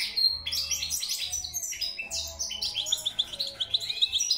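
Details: Goldfinch delivering fast, chattering song, with tumbling clusters of high twittering notes, then a quicker series of short, sharp chirps near the end, against a faint low hum.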